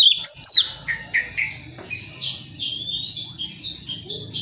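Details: Young forest-born Priangan magpie-robin from West Java practising song: a few loud sharp chips at the start, then softer looping whistles repeated several times a second, with a steady thin tone behind.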